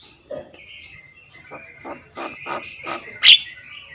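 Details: Javan myna singing in Indonesia, a lively captive bird: a series of harsh, scratchy chattering notes with a few thin high whistles, rising to a loud sharp squeak near the end over a faint hissing background.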